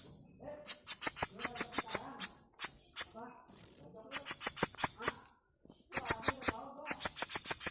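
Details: Grey-cheeked tit-babbler song in the style locally called djenggot mini konslet: long bursts of rapid, sharp, clicking notes repeated about seven times a second, broken by short pauses and lower chattering phrases.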